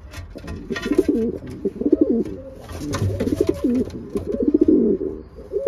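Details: Paired racing pigeons cooing in low, rolling, warbled phrases, one after another with short gaps, some scraping and clicking in the loft.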